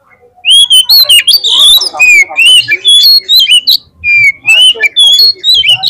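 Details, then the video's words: Oriental magpie-robin in full song, recorded as a lure to get other birds singing: rapid, loud, continuous whistled phrases rising and dipping, mixed with sharp high chips, almost without pause. "PANCINGAN KACER GACOR 30 MENIT AUTO MONCER DI LAPANGAN"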